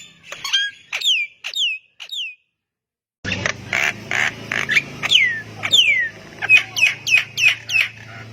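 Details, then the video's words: Javan myna singing so that other mynas answer; clear descending whistles, a brief silence, then harsh noisy notes followed by a regular run of falling whistled calls over a low hum. "JALAK KEBO GACOR BIKIN JALAK MALAS BUNYI IKUTAN NYAUT AUTO RESPON"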